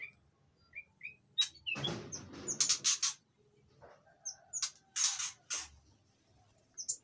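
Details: Aviary-kept White-rumped shama in Indonesia, in breeding condition, singing to draw other shamas: scattered short high whistled notes among loud rasping, clicking bursts, with a steady faint high hum throughout.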